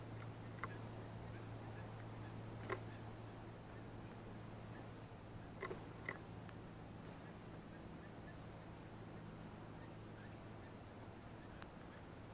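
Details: Male Northern Cardinal eating seeds off a ripe banana at a backyard feeder, giving its classic feeding chirp: a few sharp, high, brief chips spaced several seconds apart over a steady low hum, with faint pecking sounds.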